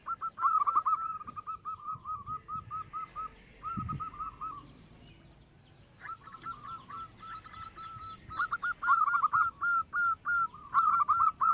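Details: Local zebra dove with a big voice, used as a lure to make other birds sing: long runs of rapid, evenly spaced cooing notes, a pause with a soft thud, then a louder run of rolling coos.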